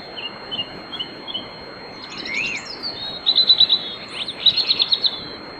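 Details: A European robin sings before dawn at night in riverside woodland at Bóveda, Lugo: thin, high, tumbling phrases of sweet trills and quick warbles over a steady faint high whine and soft hiss.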